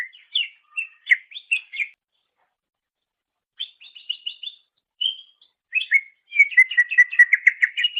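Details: Greater green leafbird (cucak ijo) song used as a master recording for training songbirds: clear whistled and chirped phrases, a run of quick repeated notes, pauses, then a fast rolling chattering series.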